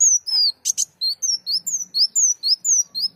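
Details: Sunbird singing for use in songbird training: a brisk, steady series of high slurred whistles, roughly four a second, with a double raspy chip near the start.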